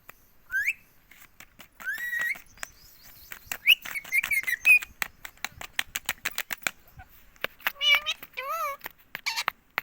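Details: Green ring-necked parakeet kept as a pet in India, repeating "mummy" over and over: scattered rising squeaks and chirps, then two bowed, harmonic word-like sounds near the end, among many dry clicks and taps.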